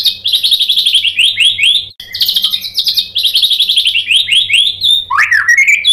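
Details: White-rumped shama singing to provoke a reply: long rapid trills of high, bright, repeated notes in runs, ending in a rising slurred whistle.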